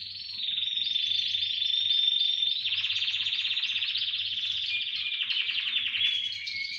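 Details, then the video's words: Canary chorus. A loud, continuous, very rapid trill rolls on for seconds, shifting slightly in pitch as other birds' warbles layer over it. "Хор канареек. Пение."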